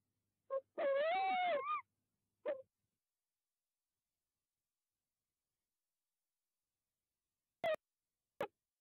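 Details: Tawny owl calling at night at De Mortel, 20 February 2021, 22:02: a short note, then a drawn-out, wavering, mid-pitched hoot of about a second, another short note, and two sharp clicks later on.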